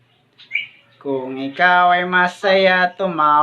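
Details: African grey parrot, a talking pet, mimics on request with a sequence of loud, nasal, strongly harmonic syllables, four sustained notes in quick succession after a brief chirp, indoors.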